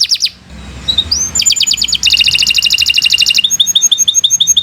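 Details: Canary singing for training other birds: brief falling whistles, a soft rising slur, then rapid, even trills of sharp repeated notes shifting into a lighter, bubbling series.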